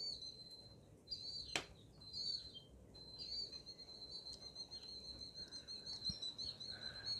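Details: In Wisconsin during rainy Memorial Day weekend weather with tornado warnings, a killdeer gives high, thin, drawn-out piping notes near four kilohertz, broken by a sharp click, with soft rain-like noise throughout.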